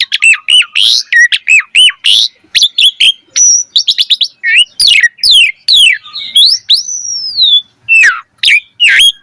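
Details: Asian pied starling in lively 'gacor mompa' singing with full variation, a recording used to train birds to sing: a dense, rapid stream of varied whistles, upslurred and downslurred notes, harsh chirps and a long descending whistle, with no other sounds.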